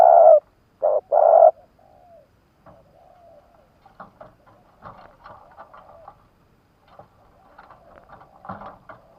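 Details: Caged spotted dove decoy from Vietnam, used to lure wild doves: three loud, low, hollow coos in quick succession open the recording. Faint rustling and clicking follow.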